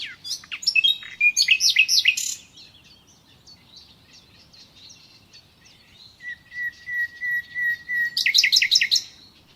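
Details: A common nightingale (Luscinia megarhynchos) sings rich, varied phrases: rapid rattling trills, a sustained pure whistle, then a fast run of loud chirping notes.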